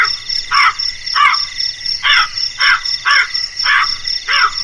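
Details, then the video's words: Series of coarse, grating crow caws, around eight short notes at an uneven pace, accompanied by a persistent whining insect chorus. "suara burung gagak yg menakutkan"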